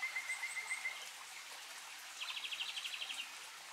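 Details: Japanese robin song: a thin, even run of high notes on one pitch, then a fast, rattling trill that goes higher still, over a steady background hiss.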